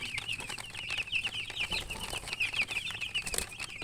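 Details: Newborn chicken chicks giving quick, high, slightly downslurred peeps in uneven runs, several chicks overlapping throughout.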